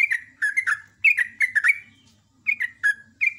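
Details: Sooty-headed bulbul morning song in the rapid ropel ngecruk style: bubbly, liquid two-note phrases dropping in pitch, delivered in quick bursts with short pauses and a faint low hum underneath.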